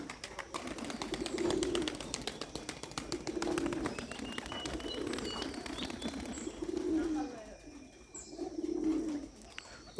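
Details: Giribaz pigeons from Rajshahi: low, rolling coos come in throaty bursts every two to three seconds, about four bursts in ten seconds, with faint human voices and rapid clicking in the background.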